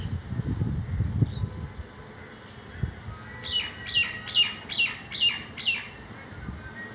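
A myna gives a quick run of six harsh, raspy notes, about two or three a second, after a few seconds of low rumble and thumps.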